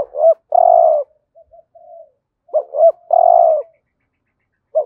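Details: A decoy spotted dove cooing in the 'hạp bổi' style to attract wild doves: two quick upslurred notes, a long low coo, then soft murmured notes, repeated twice and starting a third time.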